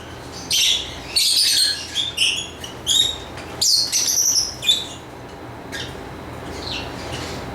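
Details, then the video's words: Lovebird chirping in high, sharp bursts of squeaky notes clustered in the first five seconds, then quieter scattered chirps over a steady background hiss. "Lovebird Chirping Sounds"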